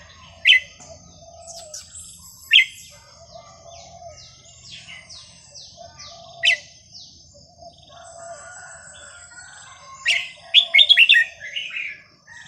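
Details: Red-whiskered bulbul song played to teach young birds: sharp whistled notes every two seconds or so, softer lower chattering between them, and a final tumbling flourish of quick bright notes.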